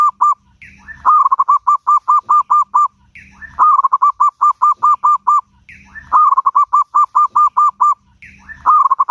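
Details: Zebra dove song used as a lure to make other birds answer: a short rising note, then a fast series of even, rounded cooing pulses, the phrase repeated about every two and a half seconds in a clean, quiet background.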